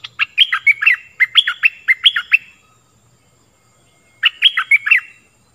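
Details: Stripe-throated bulbul singing a lure song for training young birds and attracting wild ones: three rapid bubbly warbled phrases run together, a pause, then one more phrase of liquid, fluty notes.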